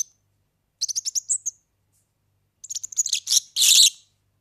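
European serin giving two bursts of high, jingling, sizzling notes, a rapid run of thin chips then a buzzier, scratchy jangle.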